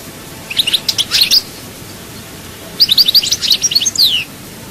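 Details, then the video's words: Goldfinch song from Souk Ahras, Algeria: two lively bursts of high, jingling twitters and slurred notes about a second and a half apart, in a quiet setting. "chant chardonneret"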